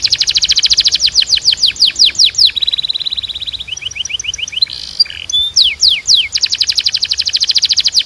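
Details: Canary training song: fast repeated descending sweeps, an even high trill, short rising slurs, then more rapid sweeps running into a dense rattling trill.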